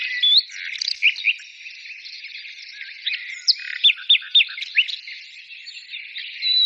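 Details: Bird song with a soft twittering background and a run of six or seven loud, clear upward-hooked chirps in the middle, then a thin whistle.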